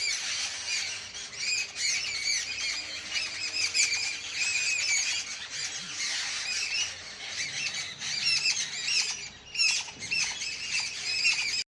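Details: Crowd of birds chirping in the evening, a constant, busy mass of overlapping high squawks and twitters that swells and dips, with a low background hum throughout.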